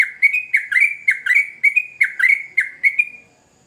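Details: Sooty-headed bulbul singing vigorously: a lively run of about ten short, bubbly warbled notes, each dipping then rising, delivered in quick succession before stopping abruptly, over a quiet background.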